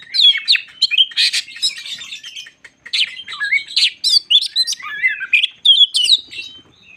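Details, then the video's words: Lively white-crowned shama song meant to provoke other shamas, mixing harsh squawk-like bursts with clear whistled slurs and fast chips, a brief pause near the middle, then renewed varied phrases. "Burung Kacer jambul lagi teler pancingan Kacer bikin emosi burung bahan"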